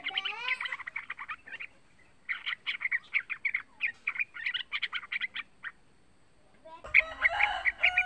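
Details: Captive young yellow-vented bulbul singing to lure other bulbuls into song: chattering phrases, a short pause, a long run of pulsed chirps, silence, then a louder, fuller burst of mixed notes.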